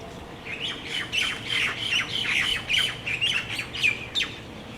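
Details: Tropical birds singing at dusk while roosting in exotic trees and palms on Maui, Central Pacific: a dense, overlapping chorus of sharp chirps and squawky notes, several per second, rising and falling in loudness.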